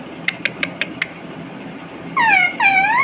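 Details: Pet Indian ringneck parakeet indoors: five short sharp clicking notes at an even pace, then two loud harmonic-rich squawking syllables that dip and rise, like a mimicked word.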